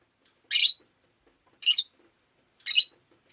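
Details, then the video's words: Rosy-faced lovebird, a pet bird, recorded on a rainy day: three loud, rasping chirps evenly spaced about a second apart, separated by near silence. "Lovebird Chirping Sounds"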